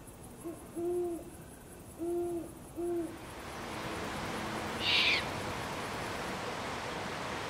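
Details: Great horned owls at dusk on Strawberry Island, a hilltop grove above Stow Lake in Golden Gate Park, San Francisco, where a pair raised owlets in spring and summer: three deep, short hoots about a second apart, then a brief high chirp over steady background hum.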